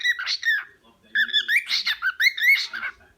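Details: Pet cockatiel protesting indoors at not being allowed to eat its owner's food; a run of harsh, rasping squawks, some rising, with a brief pause near the start.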